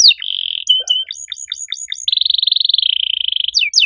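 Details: Canary in loud, active 'gacor' song with a unique 'cengkok' phrasing. A buzzy steady note and short chips lead into a long, even, rapid rattling trill, ending in quick falling sweeps.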